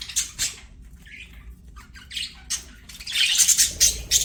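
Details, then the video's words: Budgies at play give a few sharp high chirps and a short buzzy note, then fall quiet before a dense burst of rapid scratchy chattering at the end. "BUDGIES SINGING PLAYING"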